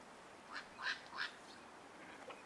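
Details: Black-crowned night heron at a waterside park in Toyoake, Aichi, Japan, on 25 April 2021, gives three harsh, croaking 'kwok' notes about a third of a second apart, the middle one loudest, over faint background hiss.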